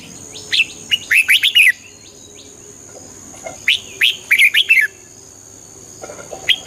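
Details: Red-whiskered bulbul song used to rouse a bird: two energetic phrases of rapid, clear whistles with up-and-down slurs, then quieter scattered chirps over a steady hum.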